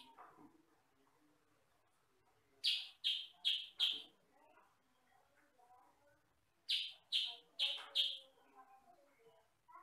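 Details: Kutilang sutra, a yellow-and-black form of sooty-headed bulbul, recorded for training other birds and described as loud with one or two voice tones; two bursts of four rapid, harsh, high notes, about four seconds apart, over soft background chatter.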